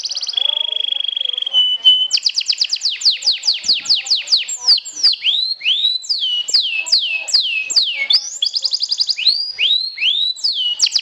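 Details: Competition canary of the sobek style, a champion trilling to provoke rivals. A long steady whistle opens, followed by a cascade of sharply falling notes, curved swooping phrases and short quick trills in a loud, varied song.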